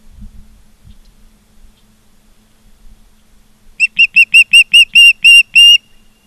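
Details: After several seconds of faint low rustling, an osprey at its Charlo, Montana nest, 16 September 2023 at 16:05, bursts into about ten quick, high whistled chirps that lengthen and strengthen before stopping.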